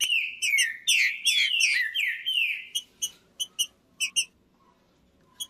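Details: Green-winged saltator (trinca-ferro) singing to stimulate a cold trinca-ferro: nearly three seconds of strong, swooping whistled phrases that rise and fall, followed by a handful of short, crisp chip notes before falling quiet.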